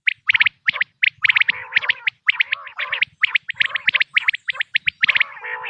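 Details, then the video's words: Quail calling, offered for hunting. Bright, clipped triple notes repeat in fast clusters, with occasional lower gargled phrases between them. "بٹیر کی آواز"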